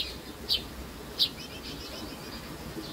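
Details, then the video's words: Baby sparrows calling: two short, high chirps spaced under a second apart, standing out over a steady background hiss. "Sparrow Birds Baby."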